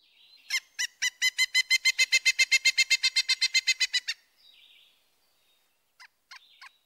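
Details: Pileated Woodpecker call, a very loud vocalization written as kiki: a long rapid series of about twenty-five ringing notes, steady in pace, rising then easing in loudness, followed by a few faint notes.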